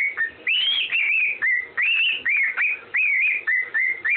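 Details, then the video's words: Pet parrot whistling a tune, the Andy Griffin theme: clear, pure whistled phrases that slide up and down, with short rising swoops and wavering held notes, broken by brief pauses, on a quiet indoor background. "whistling Andy Griffin tune"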